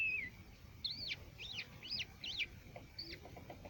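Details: Local crested lark in Quetta gives a run of five quick looping whistled phrases, each rising and dipping, roughly every half second after an opening slurred note, with faint lower chirps near the end.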